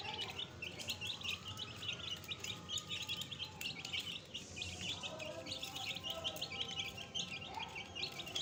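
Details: A brood of fresh chicks keeps up a dense, steady chorus of high, piercing peeps, each brief and sharply falling, with faint low voices in the background.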